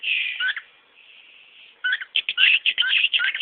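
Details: Male pet cockatiel indoors showing off part of his repertoire: a long steady whistle, then a rapid run of short chirpy, warbling notes with quick up-and-down slurs, around four per second.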